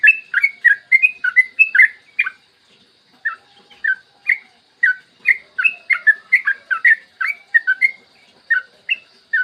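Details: Yellow-vented bulbul giving a long, rapid morning song meant to lure and stimulate other bulbuls to sing: quick clusters of liquid chirping notes, a brief pause near three seconds, then a renewed run of bright warbled phrases.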